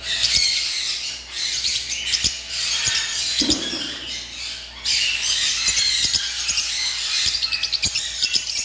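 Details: Lovebirds in a noisy chorus of high squeaks and chirps, briefly dropping away midway beneath a low rumble before the shrill chatter surges back, ending in quick repeated squeaks.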